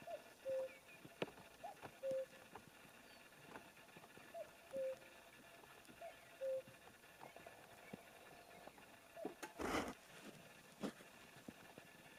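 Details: A common cuckoo in spring 2019 at Reastvere, Jõgeva County, Estonia, repeats its soft two-note 'cu-coo', the second note lower, about every two seconds; a brief clatter sounds near the end.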